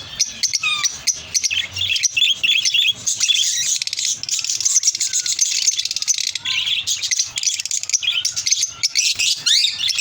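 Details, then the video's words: Several lovebirds chatter nonstop in shrill, high squeaks and sharp chirps that overlap in a busy, unbroken flock chorus. "Love birds sounds"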